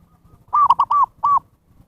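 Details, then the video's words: Zebra dove call for luring wild birds: a quick run of rounded coos, the fourth drawn out, then a short pause and one final arching coo. "SUARA PIKAT PERKUTUT นกพิราบชวา Chim Cu Vằn | memanggil burung liar"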